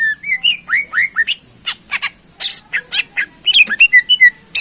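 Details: Energetic greater green leafbird song to rouse competing birds: rising whistled notes repeated several times, then harsh broadband chirps and squawks, closing with clean whistled slurs.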